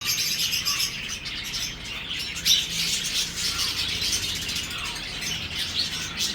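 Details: Pied Japanese Hogoromo budgerigars chatter in a dense, high, scratchy warble with quick chirps and squeaks.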